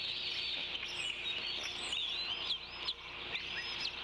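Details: Bald eaglet at the Decorah nest warbling after wing flaps while its father lands a fish and a sibling tries to steal it; thin, high curving whistled notes rise and fall over a dense, steady hiss of background bird chorus.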